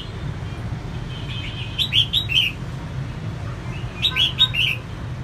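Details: Female red-whiskered bulbul singing to fire up males: two phrases of three to four liquid, slurred notes about two seconds apart, preceded by soft twittering, with steady low-pitched hum beneath.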